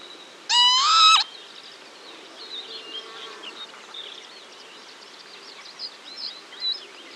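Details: Alarm call from a pair of Northern lapwings warning their young. One strident, nasal, drawn-out note lasting under a second, followed by quiet scattered chirping from other birds in the background.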